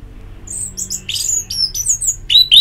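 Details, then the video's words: Rapid, varied song of an orange-headed thrush: thin high whistles and sharp chirped notes tumbling together with scratchy bits, ending in louder slurred phrases. Played as therapy to prompt a bird to sing. "Terapi Ngeplong Untuk ANIS MERAH Malam ya Tidur Merangsang untuk Bunyi"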